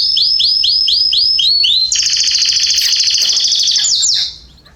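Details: Canaries singing in a garden in September 2020: a run of about seven slurred, down-curving notes leads into a loud, dense, high rolling trill for roughly two seconds, closing with a few short falling notes as the song fades.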